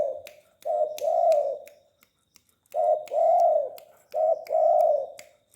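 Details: A tame spotted dove cooing: three low, mellow phrases, each a short note followed by a longer, slightly arched hoot. Long pauses fall between the phrases, and faint clicks and ticks can be heard in the background.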